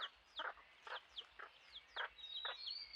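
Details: A lineated barbet at Rocky Pool, Huai Khayeng Nature Park, in early March 2025 during the dry season, caught on a camera trap. It gives hollow, throaty notes about twice a second over thin, high, down-slurred whistles from other birds.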